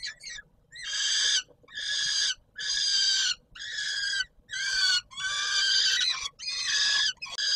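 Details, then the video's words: Peregrine falcon calling at feeding time on the Palace of Culture and Science, Warsaw, Poland, 17 July 2022: a steady series of harsh, grating wails, about one per second, each roughly half a second long. "Sokół wędrowny PKiN Warszawa - Chłopaki wstawać kolacja"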